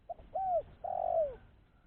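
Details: Spotted dove giving a clean call meant to attract other doves: a short note, a bowed coo, then a long coo sliding downward, with low background hum.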